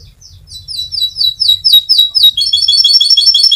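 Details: Canary song played to lure canaries into singing: a rhythmic series of bright downslurred notes about four per second, then a dense high rolling trill, with a faint low rumble underneath early on.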